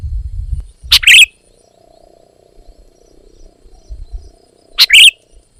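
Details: Sooty-headed bulbul song: a sharp, bright chirping phrase, then silence for nearly four seconds before another. A faint steady hum runs underneath, with some low rumble at the start.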